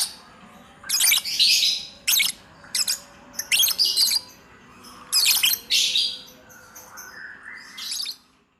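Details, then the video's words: Hobby lovebird singing ngacor-style in clustered bursts of shrill, rasping chirps and chatter, with quieter pauses in between and a fading final note. "love bird, lobet, Mainan baru,Ngacor lur"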